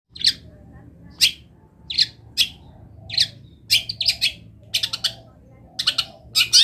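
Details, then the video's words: Long-tailed shrike in full song, rich in imitated wild-bird phrases: short harsh, noisy bursts high in pitch, given singly or in quick pairs, with uneven gaps of about half a second to a second. "CENDET GACOR ISIAN MELIMPAH - MASTERAN CENDET GACOR FULL ISIAN BURUNG LIAR"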